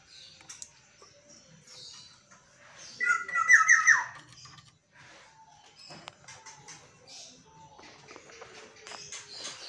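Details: One mellow, fluted warbling phrase from a caged pet black-naped oriole that sings at dawn, rising out of a quiet room with faint ticks and soft scattered background sounds before and after.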